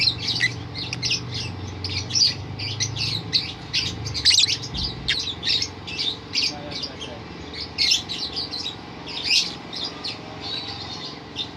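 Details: Lovebird giving a long ngerol rolling song of rapid high chattering, buzzy notes in quick bursts repeated without pause, against steady background hum and faint low noise.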